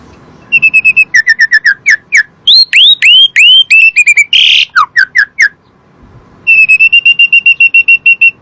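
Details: Asian pied starling song, a lure to get kept birds singing: fast rattling trills, rising upslurred whistles, a harsh buzzy burst, a pause, then another rapid metallic trill.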